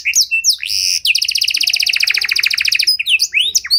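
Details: Panda canary singing rich cengkok song used to bait and train other canaries: quick sweeping whistles, then a dense fast trill of rapid pulsed notes lasting nearly two seconds, ending in bright upslurred chirps.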